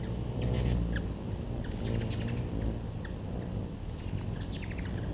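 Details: Hummingbirds around a backyard feeder, giving short, high chipping notes in scattered bursts over a steady low rumble of background noise.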